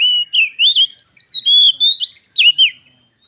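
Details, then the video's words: Caged white-rumped shama dueling in song with a wild shama that approached, the contest escalating into a fight; continuous loud, sweet whistled notes sliding up and down, rapid varied phrases with few pauses. "Kacer _adu suara sampai jadi bertarung/fight Cok‼️"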